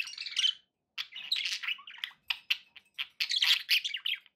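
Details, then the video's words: Pet budgerigars warbling in a rapid, continuous stream of scratchy chirps, clicks and short whistled notes, with brief pauses between bursts and no other sounds. "budgie sounds"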